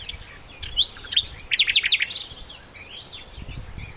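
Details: Sikatan londo flycatcher singing for songbird training: a dense, rapid burst of high chirps and quick buzzy trills lasting about a second, then fading chatter.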